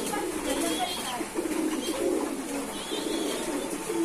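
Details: Kept pigeons coo softly and continuously in low rolling notes while a person talks faintly nearby.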